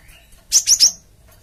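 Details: ['Cinereous tit lure call meant to provoke wild birds into answering: three sharp, high, slightly falling chirps in quick succession, then silence.']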